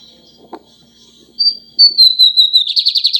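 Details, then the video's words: Lined seedeater in full song: after a faint click, a long high whistled note falls gently, then shifts into a loud, rapidly pulsing buzzy trill. "bigodinho cantando muito"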